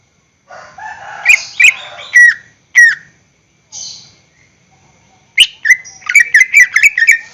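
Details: Greater green leafbird song used as a lure for caged birds: a burst of rich warbled notes, then loud slurred whistles, a pause, and a fast closing series of sharp chirping whistles.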